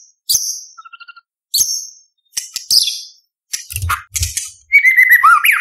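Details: White-rumped shama (murai batu) delivering full-fill competition song: sharp high notes with a short soft trill, scratchy bursts, low thuds, then a wavering whistled phrase sliding downward.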